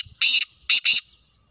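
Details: Black francolin calling: three loud, harsh, grating notes, the first longer, then two short ones in quick succession, with a quiet background.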